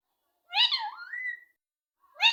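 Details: Indoor pet rose-ringed parakeet, described as very talkative. It gives a wavering, whistled, voice-like phrase that dips and then rises to a steady high note, with the start of another harsh call cut off at the end.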